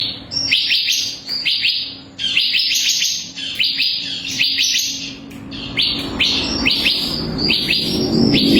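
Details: Captive bar-winged prinia, known locally as ciblek kristal, kept as song-training material for other cage birds: rapid series of sharp, high chirps sweeping downward, delivered in dense bursts with short pauses between them.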